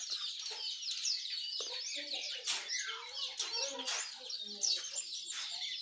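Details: Several birds sing together in the morning, named as sooty-headed bulbul, yellow-vented bulbul and white-eye; a thick wash of high twittering and chirping fills the whole stretch, broken by a few sharp, loud bursts.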